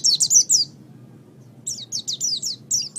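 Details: Oriental white-eye singing as a tutor recording for songbirds: rapid high-pitched twittering notes, a short pause, then another run of thin descending chirps, with faint low hum behind.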